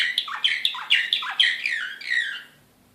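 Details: Serbian slavujar canary, excited, recorded in Belgrade in 2016: a short burst of sharp clipped chirps with whistled downslurs, fading out after about two and a half seconds.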